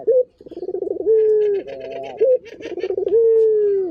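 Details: Local puter turtle dove cooing steadily. Each phrase has a short upward flick, a vibrating series of pulses and a drawn-out low tone easing downward, heard twice in succession. Soft high chirping sounds in the background.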